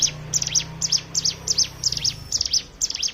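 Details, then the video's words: Ngebren-style song of a hill prinia, played as a lure to prompt other birds to sing: high piercing chips in quick doublets and triplets, with a low steady hum running beneath for the first two seconds. "pancingan ciblek gunung bahan ombyokan"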